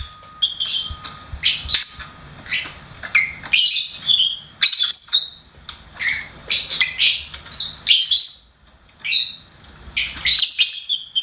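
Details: Chattering song of a pet lovebird, a lively, nearly continuous series of shrill squeaks, whistles and harsh chirps, briefly pausing before resuming.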